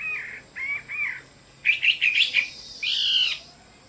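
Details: Chinese hwamei gives three twangy paired notes, a quick jumble of loud warbles, and one long, harsh, buzzy phrase.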